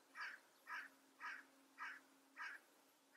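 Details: Tree pipit (Anthus trivialis) singing: five harsh, husky mid-pitched notes, each about a quarter-second long, repeated evenly every half second against quiet background hiss.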